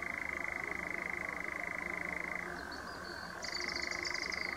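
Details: A European nightjar on Ideford Common gives a steady, mechanical churr, a fast even trill that drops in pitch and pauses briefly before resuming, with thin, high chirps filling the break.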